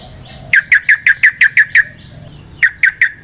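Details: Yellow-vented bulbul song from the wild, used to lure and stimulate birds: eight quick, even chirps in a bright string, a short pause, then three more alike, over a faint steady background hum.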